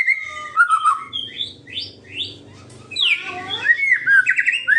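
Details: White-rumped shama song used to provoke rival birds: a varied run of whistled notes around two kilohertz, then rising chirps and sweeping phrases that climb and fall, with faint low background noise.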